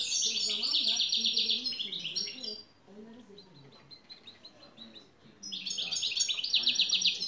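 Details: European goldfinch delivering bursts of rapid, buzzy, tinkling trills, high and loud, separated by a quieter interval of soft scattered chirps before the trilling resumes.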